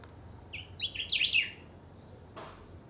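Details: Kept saffron finch, a chiviro, singing strongly: a short phrase of rising and falling high whistled notes climbing into a bright sweeping flourish, then a faint brief note after a pause.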